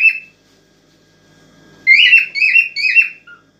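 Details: A cockatiel in an excited state sings to encourage a female toward mating: one whistled note, a quiet gap, then three loud rising-and-falling whistles in quick sequence and a faint short final note.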